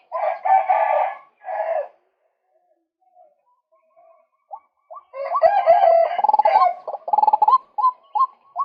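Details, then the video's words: Lure recording of a male white-breasted waterhen: two rough croaking bursts, a few faint notes, then a loud rapid string of short rising 'kook' calls repeated about every half second. "เสียงนกกวักตัวผู้ รับประกันความหมาน"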